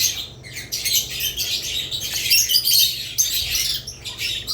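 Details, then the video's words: Dense, overlapping high-pitched budgerigar chatter, several birds chirping and warbling at once, with a faint low hum beneath. "Budgerigars lovebirds Chirping Sounds"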